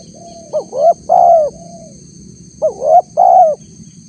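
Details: Spotted dove lure call meant to draw a response from wild doves: two three-part phrases, each a short upswept note, a rising coo and a longer level coo, about two seconds apart, over a faint steady high hum.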